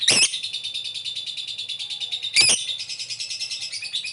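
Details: Lovebird calling with ngetik and ngekek styles, used as a lure recording to draw a quick response and train lovebirds to vocalize; a continuous, rapid, high-pitched chattering trill, broken by sharp harsh bursts at the start and near 2.4 seconds.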